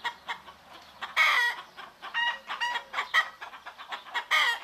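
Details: Morning roosters and hens recorded in Greek nature, a loud harmonic crow-like burst rising then falling, surrounded by repeated clucks from several birds.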